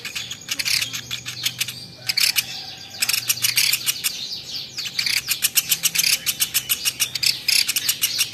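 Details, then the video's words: Woodpecker, a championship-grade bird, in a training recording: dense high-pitched chattering and chirping, ending in a fast run of sharp, evenly spaced ticking notes. "PLATUK beras masteran jitu burung juara"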